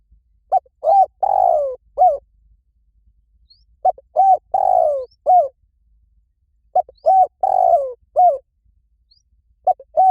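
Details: Spotted dove giving a lure call used to draw in wild doves. The mellow, hollow cooing phrase has two short coos, a long falling coo and an end note. It repeats about every three seconds in a quiet setting.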